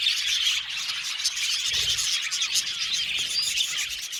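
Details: Many budgies in an aviary chirp at once, a thick high-pitched warbling chatter with scattered sharper squeaks running steadily from start to end.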